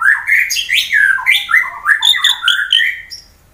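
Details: White-rumped shama singing to provoke rivals, from Wonosobo, Central Java, Indonesia: a continuous, varied warbling of rich whistled notes swooping up and down, with scratchy overtones, fading at the end.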